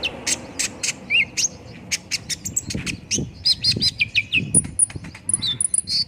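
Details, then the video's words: Olive-backed sunbird song to coax a bird into singing quickly: high chirps and brief whistled slurs, a run of repeated falling notes, and a few thin very high whistles near the end, with soft low background thumps. "PANCINGAN KONIN CEPAT RESPON BIKIN CEPAT BUNYI DAN GACOR"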